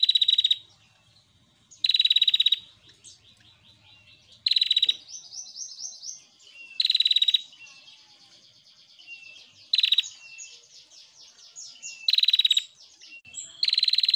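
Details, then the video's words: A female prinia in full song gives loud, harsh buzzing bursts every two to three seconds, with thin, rapid, rising chattering notes between them. "PRENJAK BETINA GACOR"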